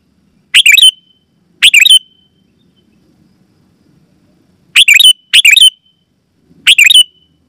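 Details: Sooty-headed bulbul (kutilang) call used to lure wild bulbuls in the forest and set caged birds singing: loud, clear notes in short bursts, two early, then three more after a pause, each with a brief thin tail.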